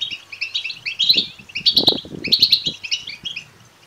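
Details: European goldfinch chicks call insistently for food, giving high buzzy chirp strings in three loud bursts over a low rumbling knock, fading toward the end. Intended to rouse males to song and mating.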